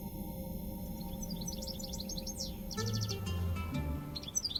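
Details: A European goldfinch, a prized songbird kept in homes in Algeria, gives quick, bright twittering notes in a tinkling run, over a low background hum and soft music.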